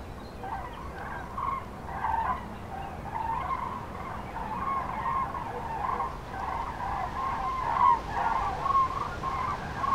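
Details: Migrating common cranes passing in broken groups during bad weather, central France, March 2016 afternoon; a near-continuous chorus of overlapping bugling calls from many birds, rising slightly in loudness toward the end, over a noisy background.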